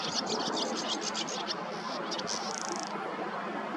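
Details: Perched barn swallow taking a rest from nest building beside the Nioman river, Hrodna, Belarus, in May 2023, delivers quick high twitters ending in a dry buzzy rattle, half masked by heavy steady rushing noise.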